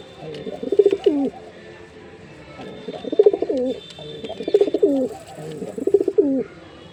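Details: Jeera pigeon male in full performance, four deep burbling coo phrases spaced well apart, each a warbling roll ending in a falling note, over a quiet steady background hum.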